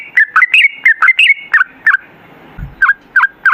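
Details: Sooty-headed bulbul (trucukan) in lively 'ropel' song used as a lure: a rapid phrase of mellow, gurgling whistles, then after a short gap three evenly spaced dipping notes.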